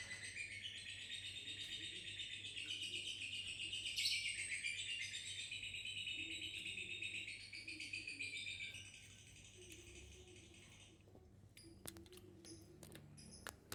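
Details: Lovebird given ngekek and gacor lure song, acting confused and cute; a dense high chattering trill for about nine seconds fades out, followed by scattered sharp clicks.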